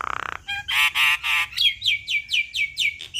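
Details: Black-winged starling, singing in full voice for teaching young wild-caught birds: a rattling buzz, harsh grating squawks, then a steady string of downslurred whistles about four per second.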